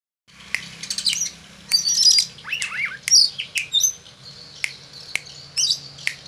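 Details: An Oriental magpie-robin answers at once to finger snapping with a varied burst of bright whistles, harsh chatters and sweet rising notes, broken by sharp clicks every half second or so.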